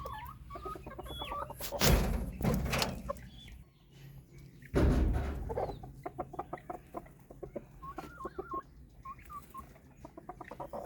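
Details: White Silkie chickens on a farm in Punjab, Pakistan; loud handling thumps and rustling at first, then a run of short, rapid clucks and a few higher squeaky notes.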